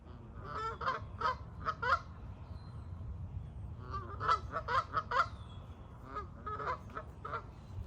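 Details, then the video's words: Several Canada geese honk in loud nasal bursts, calling in quick clusters, over a steady low rumble of background noise. "Canada geese honking sound"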